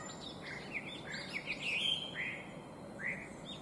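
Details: Chinese hwamei, an invasive alien species, with varied whistled phrases that swoop up and down, some notes sliding and rising, set against steady outdoor noise.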